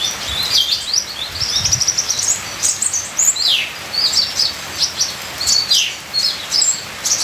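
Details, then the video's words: Full-song recording of a ninja sunbird: a busy stream of shrill, high-pitched twitters, short trills and downward-sliding notes, repeated in bursts, with rain hissing steadily underneath. "Terapi Suara Kolibri ninja full isian"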